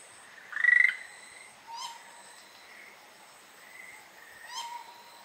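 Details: An Amami woodcock on Amami Ōshima gives one loud, rough, nasal note, then two quieter low croaks a few seconds apart, over a steady high insect hiss.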